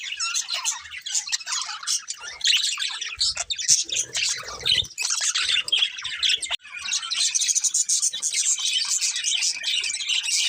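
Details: Pair of budgerigars giving dense chattering warbles and squeaks, dipping briefly around the middle amid soft low thuds, then resuming loud continuous chirping.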